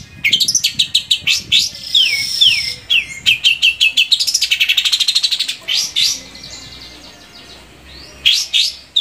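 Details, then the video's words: Lively long-tailed shrike song for stimulating captive shrikes: downslurred whistles, rapid chip series and a buzzy trill, fading into a quiet stretch before a final pair of sharp notes. "SUARA BURUNG‼️Cendet mana aja yang gak mau gacor bila seperti ini"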